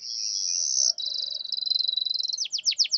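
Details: A canary gives a high sustained buzzing roll that shifts into a pulsed trill, then breaks into a few loud swooping notes. The recording is meant to make lazy, silent canaries answer.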